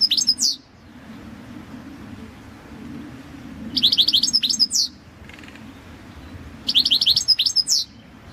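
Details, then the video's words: Competition song of a Balkan goldfinch, Carduelis carduelis balcanica, 2022 world championship: three bursts of high, rapid twittering with sliding whistled notes, spaced about three seconds apart. "Pesma štiglića 006/22 World Championship in Goldfinch Song"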